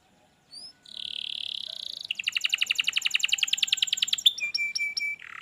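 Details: Canary song to stimulate a lazy canary: a buzzy held tone, then a fast pulsed rattling trill, ending in short sharp notes and a steady whistle.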